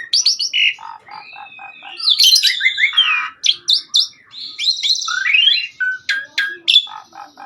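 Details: Master recording of a persistently singing Asian pied starling: rapid high chips over low chuckling notes, then a dense medley of whistles, harsh buzzes, rattling trills and sharp upward notes, with a row of short low notes near the end.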